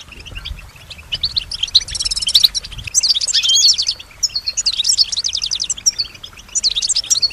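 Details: Kept female European goldfinch singing and imitating surrounding sounds: high, rapid twittering with buzzy trill bursts in short phrases, loudest around the middle, with faint low rumble early on.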